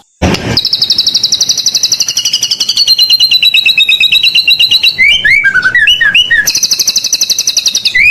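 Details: Singing white-rumped shama used to lure other birds: a long, high, rapid trill that drops in pitch, then looping whistled notes and another fast high trill.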